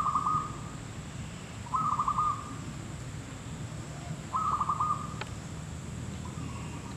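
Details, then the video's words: Zebra dove at a trap site repeating rolling, staccato cooing phrases every two to three seconds, three full phrases and the start of a fourth, over low steady noise and one sharp click. "zebra dove trap ; mikat ; perkutut lokal ; merbuk kampung"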